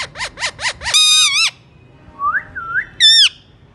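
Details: Alexandrine parakeet indoors: four quick descending chirps, a loud harsh squawk, soft rising whistled notes, then a final wavering screech.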